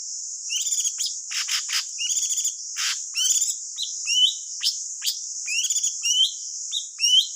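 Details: A wild thanh tước bird singing, the song used as a lure for trapping: bright, rapid chirps and upward-sweeping whistled notes in quick bursts over a steady high hiss.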